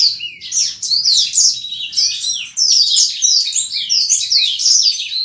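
A black-throated canary sings a fast, continuous run of high twittering notes, sweeping trills and chirps, with no pauses and no other sounds.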